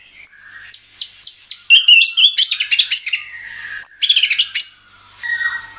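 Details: White-rumped shama lure song to trigger caged birds to sing: a series of clear high whistles dropping in steps, then dense bursts of chattering notes and a softer lower ending.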